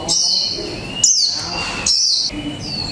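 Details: Japanese white-eye, mộc tinh type, kept caged for one month, giving líu pha chòe trống song: long, sustained high thin notes with sharp descending slurs, repeated in three bursts.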